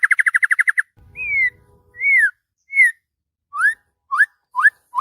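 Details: Morning song of a worked-up white-rumped shama: a fast stuttering trill of about ten notes, then long sweeping whistles and a few sharp rising notes, with a short low rumble in between.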